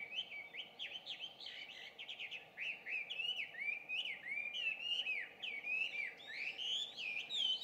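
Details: Introduced Chinese hwamei singing at 5:30 AM on 2 June 2019 in Japan, a loud, rich song of fast, varied whistled phrases rising and falling without pause, over a faint steady hum, other birds like bush warbler and pheasant singing too.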